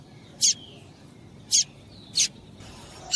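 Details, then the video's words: Female double-collared seedeater calling to stir up a male: three bright, high-pitched chips about a second apart, with one more starting at the very end, against faint low background hiss. "Piado de Fêmea de Coleiro Com Piado de Fêmea de Coleiro Quente para Esquentar Coleiro tui tui"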